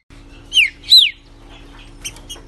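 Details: Pet green-winged saltator delivering two clear whistled notes, a falling slur and a higher arching one, followed by a few faint high chips over a steady low hum.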